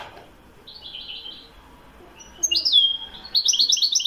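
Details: European goldfinch singing in Morocco: a faint high buzzy trill, then louder twittering notes and a clear descending whistle, followed by rapid tinkling trills.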